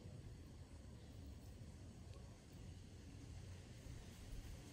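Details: Faint low rumble of distant traffic or machinery, with no animal sounds.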